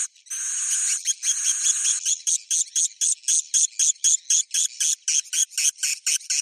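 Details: Roosting call of swiftlets, Bhayangkari type, opening with two long buzzy rattles, then turning into quick, evenly spaced clicking chirps repeated about four times a second.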